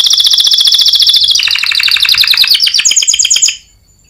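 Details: Competition-winning canary master song for training: dense rapid high trill dropping into a lower rolling tour, then bright fast repeated notes rising again before the song cuts off into silence.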